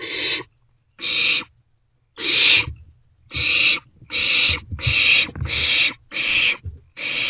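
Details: Owlets of barn owl in a nest box at night, 27 March 2024, handing a vole between them; nine rough, breathy screeches, closely spaced in the second half, over low scuffling noises.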